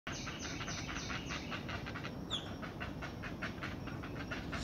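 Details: Great blue heron chicks, not-so-small, in their nest awaiting their mother's arrival with food: rapid, rasping clattering pulses repeated several times a second over a steady hiss of background noise.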